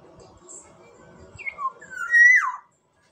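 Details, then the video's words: Black-naped oriole from Sumbawa giving one short fluty phrase: a few clear whistled notes near the middle, then a louder slurred whistle that rises and drops sharply, ending abruptly. A faint low murmur runs underneath. "Kepodang emas Sumbawa"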